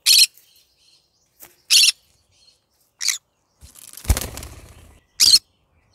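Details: Yellow-sided green-cheeked conure kept as a pet, calling in the morning with short harsh screeches every second or so, interrupted by a burst of rustling and clattering.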